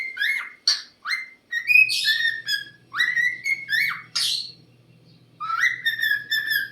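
A cockatiel gives repeated shrill, rising whistles and squawks, calling for attention after being ignored.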